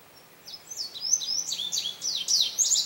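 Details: High, lively song of a male Indigo Bunting filmed at St. Johns Conservation on May 25, 2022, made of repeated paired downslurred notes that grow louder through the phrase.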